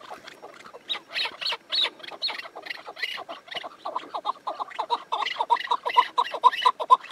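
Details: Chukar partridge gives a chattering series of clucks that begins softer and sparse, then grows louder and denser into a fast rhythmic chuck-chuck sequence toward the end.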